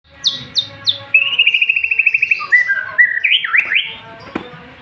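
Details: White-rumped shama with a richly varied song: three sharp descending whistles, then a fast even trill of about fifteen notes, followed by slurred whistled phrases that rise and fall; faint background hum.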